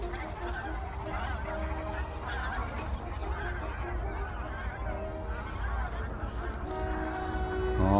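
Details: A flock of roughly 40–50 wild geese, wintering in rice paddies in early January, honks while taking off as a person approaches, a steady jumble of nasal calls over strong wind rumble, with a man speaking.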